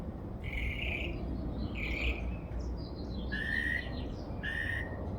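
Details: Backyard twittering from a bird credited with over 20 different sounds: a few drawn-out whistled notes, some level and some slightly rising, spaced about a second apart against a rumbling low background.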